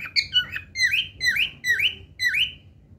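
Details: Pet cockatiel singing: a run of about six bright, warbling whistled phrases, each sliding upward then dipping, with rich overtones, repeated roughly every half second in a quiet indoor setting with faint low background hum.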